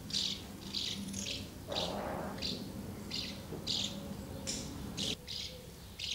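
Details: House martins assembled at two nests while parents keep feeding young, 24 August 2012; bright rattling chirps repeated throughout, one brief rustling burst in the middle.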